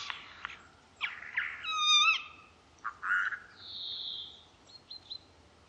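Eurasian jay in a rambling, varied song: rasping bursts, a clear ringing whistle, short chattering notes, then a thin high sustained whistle and quick clicks.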